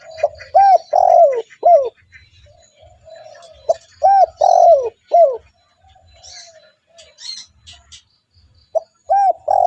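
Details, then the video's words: Repeated phrases of a spotted dove used as a lure for other doves: short arched coos ending in a drawn-out falling coo, the phrase given three times with soft murmuring coos between. "TEKUKUR GACOR 💯 Ampuh untuk pancingan burung tekukur bahan"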